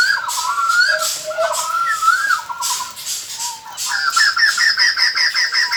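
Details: Decoy song of the White-crested laughingthrush for luring wild birds: varied fluty whistles and warbled phrases, ending in a rapid rattling run of repeated notes.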